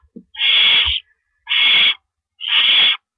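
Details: Owls in their nest before dawn, April 4, 2012, with rabbit prey being delivered. Three long, harsh hissing screeches about a second apart, preceded by a short low knock.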